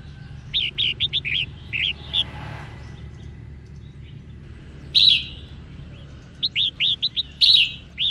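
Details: Singing female red-whiskered bulbul, used to stimulate males: quick strings of bright, hooked whistles in bursts, with two louder rasping notes between the runs and a quiet gap in the middle; soft low hum throughout.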